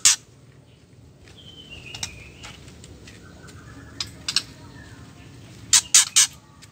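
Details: Female white-rumped shama, whose ketrekan is used to stir males to sing: faint slurred whistles and scattered clicks, ending with three sharp harsh rasps close together.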